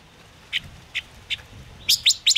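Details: Gouldian finch sounds played to lure birds into a trap: three short, evenly spaced ticks, then a quick burst of sharp, high chirps at the end.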